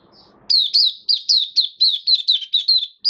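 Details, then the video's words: White-eye given deworming treatment and health supplements, 18 May 2022, singing 'buka sing': after a faint murmur, about a dozen loud, high, downward-sweeping chirps follow each other every quarter second. "Mata Puteh Kitaro buka sing"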